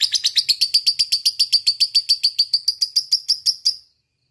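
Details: Single fighter lovebird in fighting mood giving ngekek panjang, the long chattering style: a fast run of sharp, high, evenly spaced notes, about four per second, holding steady for nearly four seconds before stopping abruptly.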